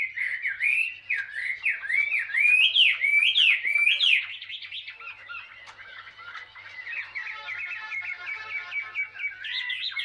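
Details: Wild-caught greenish-feathered Chinese hwamei in a cage for two years delivers loud looping whistled phrases, repeated upslurs about four per second, then a quieter rapid chattering trill to the end.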